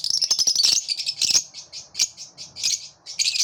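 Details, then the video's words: Lovebirds singing with collective enthusiasm: a steady stream of high, buzzy chirps and rasping twitters that rise and fall in quick succession, with scratchy clicks throughout. "Love birds sing with collective enthusiasm"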